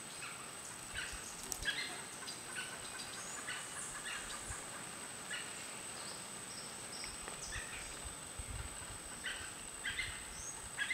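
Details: A White-fronted Nunbird at Boca Tapada, San Carlos, Alajuela, Costa Rica, gives bursts of loud, rolling, gobbling chatter at irregular intervals over a steady high insect whine.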